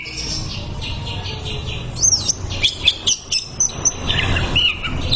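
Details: Greater green leafbird tutor song for therapy: after two seconds of hiss, a burst of high chirps and short whistled notes, repeated in quick pulses over steady low background noise.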